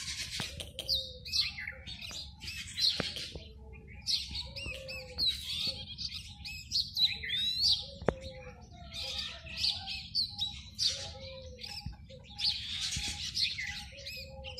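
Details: A male Oriental magpie-robin gives its courtship song to a female, singing atop a tree to announce territory: a busy, varied stream of high whistles, trills and scratchy notes over lower down-slurred whistles from other birds sharing the tree, with a faint hum.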